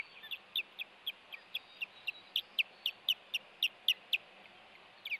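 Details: Osprey pair at the Hellgate nest, 26 April 2018, the male arriving with a fish to protect the female from an intruder: a rapid series of high, sharp whistled chirps, about four per second, steady against faint background hiss.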